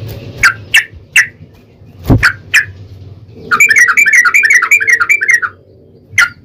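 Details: Yellow-vented bulbul used as a lure to make other bulbuls sing: scattered single gurgling notes and one loud sharp note, then a two-second rapid run of chattering phrases, followed by a lone note.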